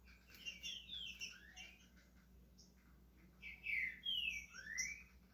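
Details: Green-winged saltator kept as a pet in Brazil starting its song, giving clusters of slurred, overlapping whistled notes over a steady background hiss.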